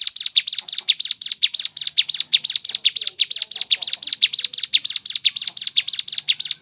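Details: Crescent-chested babbler singing a natural song variation suited to coaxing others to sing: quick, piercing high notes repeated in a continuous, regular chatter with faint background murmur.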